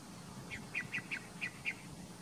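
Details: Immature Yellow Bittern calling while stalking, a series of six short harsh high notes spaced about a fifth of a second apart, over steady background hiss.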